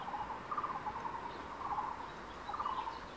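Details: At a crested goshawk nest in secondary forest with two chicks about 23 days old, adults calling during food handover, the male delivering prey to the female; three short bursts of rapid, mid-pitched notes, each under half a second, about a second apart, over soft hiss.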